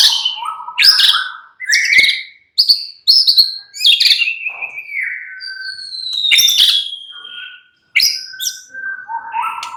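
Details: White-rumped shama singing a varied, loud song of clear whistled phrases, slurred notes and sharp chips, mostly high-pitched, with brief pauses between bursts.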